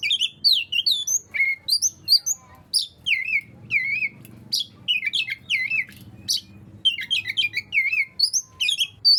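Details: Oriental magpie-robin singing to coax reluctant birds of its kind into song: a rich, varied run of high whistled, slurred and chattering notes, tightly packed, with a low hum beneath.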